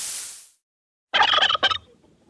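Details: Turkey gobbling: a rapid, harsh rattle of tightly packed pulses lasting under a second, with a short second burst, heard after a fading voice and a moment of silence.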